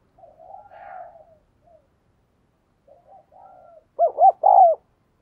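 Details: Lure spotted dove cooing to stimulate and excite males: soft, low murmuring coos, a pause, then three loud arched coo notes close together near the end.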